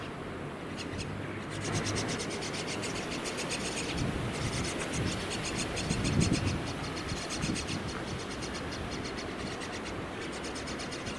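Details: Common myna chicks in a nest inside an air conditioner, being fed by a parent, give fast, harsh, raspy begging notes, several per second, over a steady low mechanical hum.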